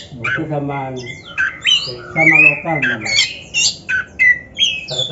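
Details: Oriental magpie-robin (kacer) in a training song, a mix of harsh, rasping squawk notes and clear whistled slurs in quick succession, with a low droning background.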